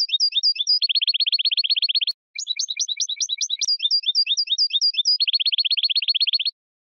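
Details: A European goldfinch sings energetically. Twittered phrases alternate with fast, dense buzzing trills of repeated notes, interrupted by one short pause, in a clean recording with no other sounds.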